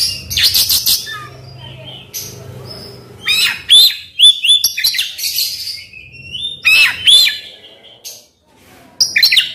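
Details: Oriental magpie-robin singing to provoke a silent bird: harsh, noisy chatter opens, followed by sharp whistled phrases with quick rising and falling twists, separated by brief quiet gaps.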